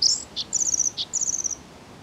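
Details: Bluethroat song fragment: high, fast rattling trills alternating with short lower buzzy notes, in a brief, intense burst.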